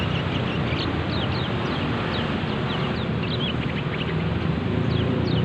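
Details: Juvenile mountain white-eye chirping in ngeriwik style for young caged birds: quick sharp high notes in loose bursts, some downslurred, with a constant heavy low roar like traffic or machinery beneath.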